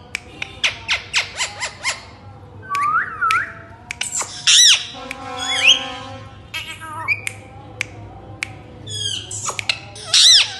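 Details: Pet Indian ringneck parakeet vocalising; a run of sharp, evenly spaced squawks, then varied whistled notes, warbles and a buzzy voice-like stretch, ending in shrill, rising and falling calls.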